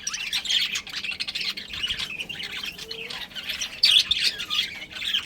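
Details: Pet budgerigar breeding pair giving continuous busy chatter of scratchy, warbling high chirps and squawks, with a louder squawk burst near the end.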